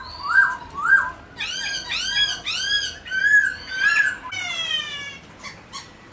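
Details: White-browed laughingthrush singing while displaying, aimed at getting pet birds to sing: loud, rich arched whistles repeated about twice a second, then a short harsh, buzzy note and softer chips.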